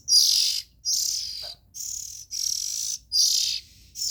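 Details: Young Oriental magpie-robin nestlings calling: six harsh, hissing bursts, each about half a second long, broad and high-pitched, separated by short silent gaps, with a faint low hum underneath.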